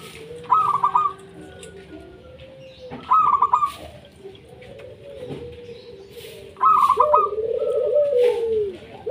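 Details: Several local zebra doves singing together as a lure to get other doves singing; short stuttering cooing phrases recur every few seconds, overlapped by lower drawn-out coos from another bird.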